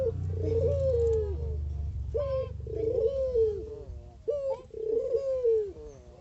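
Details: Mata geni collared dove cooing vigorously. It gives repeated phrases, each a short sharp rising note followed by a longer wavering coo, about three phrases in six seconds. A low rumble lies underneath at the start.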